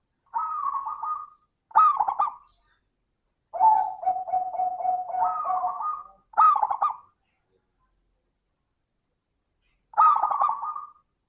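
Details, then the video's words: A zebra dove repeats short trilled coo phrases and one longer rolling series, in the 'crystal' voice style used to get other doves singing. Silent gaps separate the phrases, and the last phrase comes after a long pause. "Pancingan suara burung perkutut - suara kristal"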